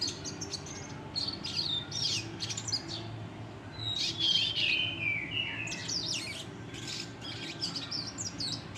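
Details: Red siskin (Spinus cucullatus) singing a fast, scratchy twitter of high chirps, with a longer buzzy trill sliding downward midway; faint low hum behind.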